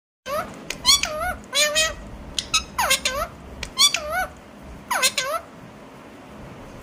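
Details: Alexandrine parakeet talking: a run of loud, wavering nasal vocalizations with bending pitch, about six utterances in quick bursts across the seconds, indoors with quiet background.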